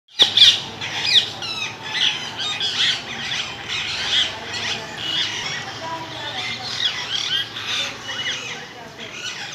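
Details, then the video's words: Parrot calling continuously: harsh, raspy squawks and screeches repeated rapidly throughout, dense and loud with overlapping calls, the loudest burst near the start, with a low steady hum underneath. "parrot sound.."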